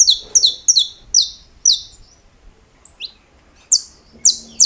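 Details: Saffron finch singing estalos: fast clusters of doubled high snaps, slowing to single downward-sweeping notes, a gap with two thin rising whistles, then loud sharp snaps again.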